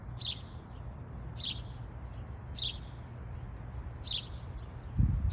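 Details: House sparrow calling in Michigan, four clipped high chirps spaced just over a second apart, with a low background hum and a dull thump at the end.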